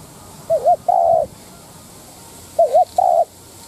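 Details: Decoy spotted dove giving 'đất thúc' lure coos to provoke wild doves: two phrases about two seconds apart, each a quavering double note then a long even hoot, over faint hiss.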